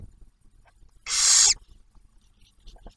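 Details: Single harsh, airy screech about half a second long from a barn owl nest near Oak Harbor, Ohio, at Ottawa National Wildlife Refuge, during a food delivery by the male to the female and newly hatched owlet.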